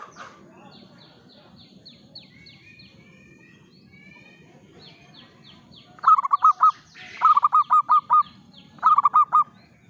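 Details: Morning song of a local zebra dove: after quiet with faint high chirping of other birds, three bursts of rapid rolling coo notes, each five or six notes long.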